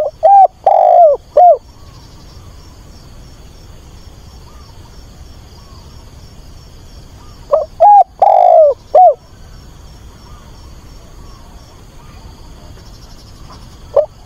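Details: Decoy spotted dove cooing to attract a mate, phrases of four hollow, low coos with a long quavering middle note, two phrases about seven seconds apart and the start of a third near the end.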